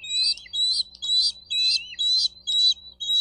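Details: Nest-camera recording of a bald eagle in Miami-Dade County, Florida, 4 June 2023 near 12:35: regular high piping notes with a lower downward-sliding tail, about two per second, over faint low hum.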